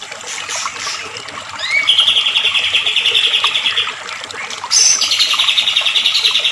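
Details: White-rumped shama song meant to rouse other shamas into full singing: fast, steady buzzy trills of repeated high notes, a lower run, a pause, then a higher trill, over a constant hiss of background noise.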